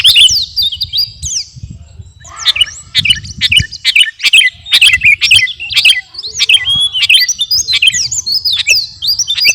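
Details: Energetic sooty-headed bulbul, garuda variety, pouring out bursts of shrill, slurred whistles and clipped chirps, separated by brief gaps, over light low-pitched background noise.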